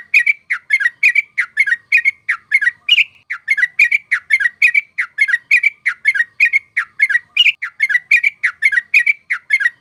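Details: A trucuk, or yellow-vented bulbul, pours out a lively rolling chatter meant for luring birds to traps: dense repeated gurgling chirps with a couple of higher accented notes, steady throughout, with a silent background.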